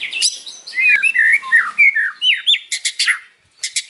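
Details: Afternoon song of a white-rumped shama, a rapid run of clear whistled slurs, rising and falling notes in quick succession, ending in a few sharp clicky bursts after a brief pause.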